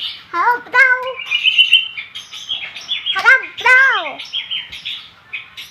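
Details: A young long-tailed shrike rehearses song with loud nasal squawks that slide downward, a brief high thin trill, and scratchy twittering phrases between them.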